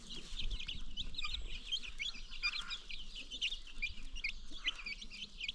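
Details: Free-range farm chickens with baby chicks: a dense, steady chorus of high chick peeps with scattered hen clucks and low thumping noise.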